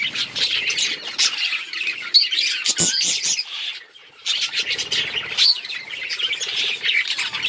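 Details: Budgerigar chatter of fast squeaks, chirps and scratchy warbles. It halts for about a second midway, then resumes just as busily.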